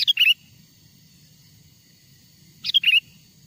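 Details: Sooty-headed bulbul song played to lure wild bulbuls: two short clear whistled bursts, a high start dropping to a quick fluty flourish, about two and a half seconds apart.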